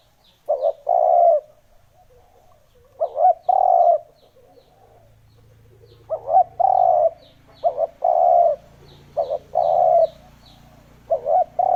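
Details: Spotted dove lure call for attracting wild doves: low mellow coos in repeated phrases, each a short doubled note then a longer steady coo, about five phrases with uneven gaps, faint high chirps of small birds and a low rumble later.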